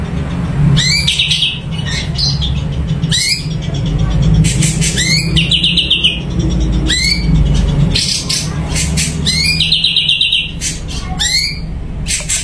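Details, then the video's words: Sumatran leafbird singing persistently from a cage, a varied sequence of sharp rising whistles, hooked slurs, buzzy trills and harsh rattling bursts, repeated over twelve seconds against steady low traffic rumble. "Cucak Cungko Super Gacor"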